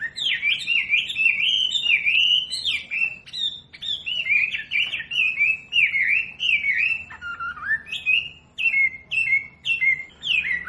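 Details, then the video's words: Masteran recording of a wambi for teaching captive birds song: a long, nearly unbroken stream of bright whistled notes, rapidly rising and falling, with brief gaps and one lower dipping phrase near the end. "SUARA MASTERAN BURUNG WAMBI BELAJAR BUNYI PASTI IKUT NYAUT"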